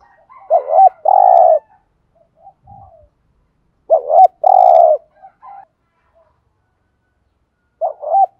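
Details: ['Spotted dove cooing in the thúc gù style for luring wild doves: a double note followed by a long coo, repeated about every three and a half seconds, with a faint low thump between.']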